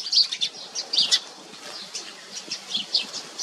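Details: As a parent Common iora feeds them, the chicks beg with thin, high, scratchy chirps, uneven and overlapping, about one every second, with a faint low rumble of background noise.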